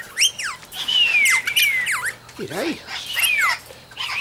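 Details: Major Mitchell's cockatoo at Junee Tourist Park, 5 June 2015, dancing with an eastern rosella nearby, gives harsh, sweeping squawks that rise and fall, mixed with quick whistled slides, while a person says "hello" in a low voice.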